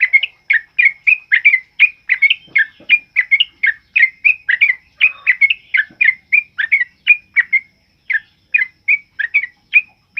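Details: Loud, steady sooty-headed bulbul song, used to tutor other caged birds and to coax silent or moulting birds into singing: a long run of quick, gurgling, rising-and-falling notes, evenly spaced, on a quiet background.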